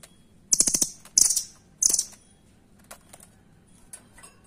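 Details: Nuthatch singing the 'doraemon' style, a master recording for tutoring competition songbirds with dense, full-power bursts: three rapid, high-pitched rattled trills in quick succession, then quieter scattered ticks.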